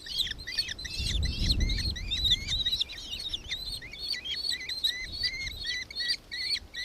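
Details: Nankeen kestrel in Victoria, Australia, 4 December 2024: a rapid, shrill chattering series of arched notes, with a low rumble of wind or handling early on.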